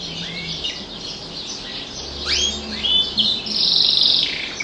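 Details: Caged canary singing, with its song said to be shaped by tutoring in a closed, echoing room: scattered whistled notes and upslurs, a high sustained trill near the end, over a low steady background hum.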